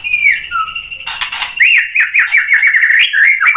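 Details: Provoked by a rival, a white-rumped shama gives a flat whistle and a low dip, then a rapid run of looping up-and-down whistled notes after a burst of harsh noise.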